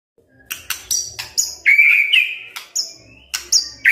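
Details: White-rumped shama from Medan with a mix of sharp clicks, high thin whistled notes and a sustained mid-pitched warble, delivered in quick separate bursts.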